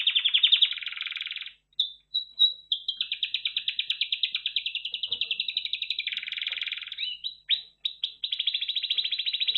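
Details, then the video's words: Red factor canary's continuous song, with long rattling tours of evenly repeated notes that slide between a high band and a lower, richer band, plus brief sweeping notes in between. "Red Factor Canary Finch Singing Exhibition"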